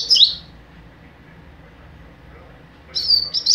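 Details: A young captive double-collared seedeater, of the mateiro song type, gives two brief bursts of high, twittering, slurred notes separated by a quiet pause of over two seconds.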